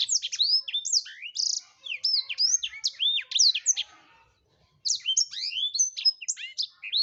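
A black-throated canary sings a fast, high, twittering stream of sweeping whistled notes, pausing briefly midway before resuming just as lively.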